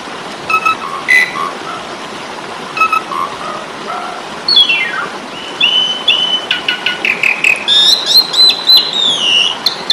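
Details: Tutor recording of an Asian pied starling's fighting song: sparse chirps, then a long descending whistle and a dense, excited stretch of whistled and squealing notes.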